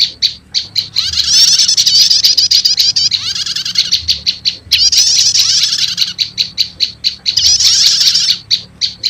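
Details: Prinia lure call, prenjak lumut combined with prenjak setater, tested to summon wild prenjak lumut: steady series of sharp high chips framing two long, dense, buzzy chattering bursts.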